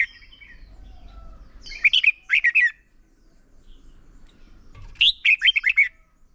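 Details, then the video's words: Decoy red-whiskered bulbul in competitive song used for training: two separate phrases of four or five sweet, bouncy whistled notes about three seconds apart, with quiet gaps. "Chào mào mồi hót đấu quá tuyệt!!"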